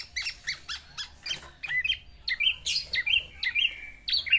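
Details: Captive black-naped oriole courting a female with mimicked fill-in song: scattered quick chirps, then clear slurred whistles and sharp high notes at irregular intervals, with quiet gaps between.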